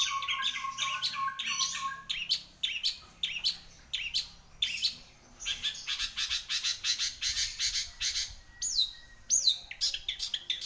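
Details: Energetic long-tailed shrike song, opening with fast chattering notes, moving into a long series of rapid repeated high chirps, and ending with sharp upslurred whistles.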